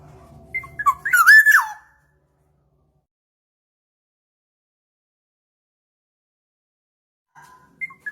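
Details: Black-naped oriole song used to lure birds: one loud, fluty whistled phrase with a wavering, slurred middle, lasting under a second, preceded by faint low hum, then long silence and a short faint note near the end.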